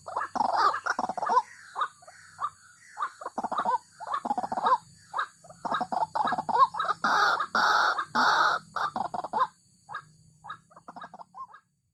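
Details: White-breasted waterhen, a swamp dweller, calling busily with a loud, harsh, rhythmic series of croaking and grunting notes for about ten seconds, dropping to softer scattered calls at the end.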